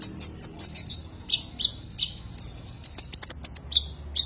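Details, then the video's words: Common iora calling a rival, giving rapid high chirps in quick succession, a short pause, then a fast sustained trill of sharp notes and a final chirp. "Suara kicau Burung konin memanggil lawan"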